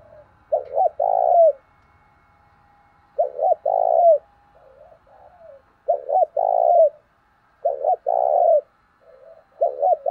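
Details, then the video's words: Decoy spotted dove used to lure wild doves quickly, Vietnam. Four deep cooing phrases in ten seconds, each two short notes then a long burry note dropping at the end, with soft murmured coos between. "Chim cu gáy mồi chuẩn thúc kích bổi nhanh nổi hiệu quả"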